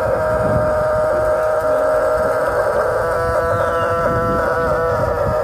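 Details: Long drawn-out crowing of Pelung chickens at a contest in Karangrau village, Banyumas, Indonesia, held at a durian agritourism site; steady, sustained tonal notes with rich overtones run through the whole stretch, overlapping one another.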